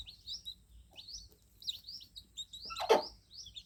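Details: Just-hatched baby chicks give rapid, thin, high cheeps that overlap in quick succession. One sharp broadband knock is heard near the end.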